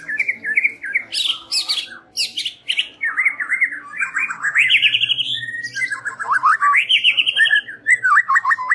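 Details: White-rumped shama evening lure song: continuous energetic warbling with buzzy high bursts, rising trilled sweeps and fast chattering notes throughout.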